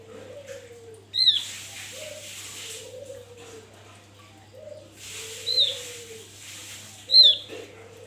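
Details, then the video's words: Javan white-eye in the wild, kept as a lure for provoking other birds: sharp high falling notes, one near the start and two near the end, over repeated low soft whistles, a constant hum and patches of hiss. "Opior jawa buka paruh ngalas Untuk pancingan"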